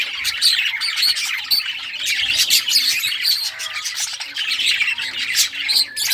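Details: Playing budgerigars in rare colours chattering nonstop: rough, buzzy squawks mixed with thin high chirps in an unbroken flock chorus.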